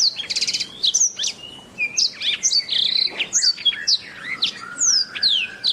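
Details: Canary song as a master recording for training songbirds: lively, continuous warbling of rapid trills, chirps and whistled slurs in quick succession, with no other sounds.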